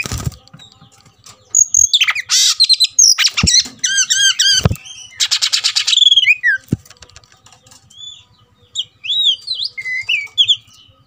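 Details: Oriental magpie-robin agitated and ready to fight, singing loud mixed phrases: harsh rasping bursts, quickly repeated looping whistles, sharp clicks, then a quieter stretch of slurred sweet notes.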